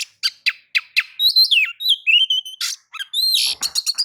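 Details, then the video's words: White-rumped shama singing to provoke other birds, opening with evenly spaced sharp notes, then looping whistles and a burst of harsh, rapid chatter. "kicau pancingan kacer gacor pagi sore siang malam"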